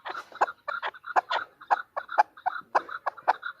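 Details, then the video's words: Female chukar partridge calling: a run of short, clipped chuck notes, irregularly spaced, some doubled, with a faint higher overtone above each note and little background noise. "chukor|chowkor|chokor|female partridge is calling|female birds|مادی چکور کی آواز|مادی چکور کی بولی۔"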